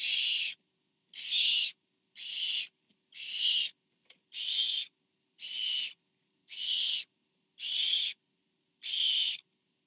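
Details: Barn owl parent delivering to owlet number four, nest webcam, 24 September 2015; nine steady, breathy hissing screeches, each about half a second, spaced about a second apart in an even rhythm.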